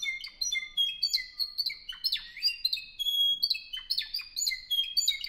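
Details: Spanish Timbrado canary from Albacete, Spain, bred in 2015, delivers a lively run of clear whistled notes mixed with sharp downward chips, the phrases following one another quickly without pause.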